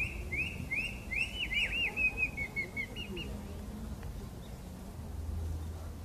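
A common blackbird sings a quick run of clear, sweeping whistled notes that drift slightly lower over three seconds, then falls silent over a steady low rumble.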